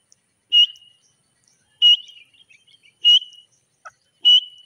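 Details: Grey francolin (Francolinus pondicerianus), possibly female, giving loud sharp whistled notes repeated about once a second.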